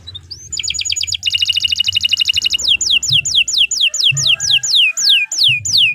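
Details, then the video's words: Canary song used as a tutor recording for training other birds, a long 'gacor' performance: a short trill, then a fast buzzy rattling trill, followed by loud whistled notes sweeping downward, repeated about three times a second, over a low hum. "Suara Burung Kenari II GACOR PANJANG Cocok untuk Masteran"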